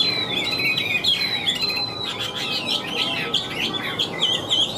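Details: Wild-caught caged Chinese hwamei giving high, thin sustained whistles mixed with fast, jumbled chirping notes in a dense, hurried stream.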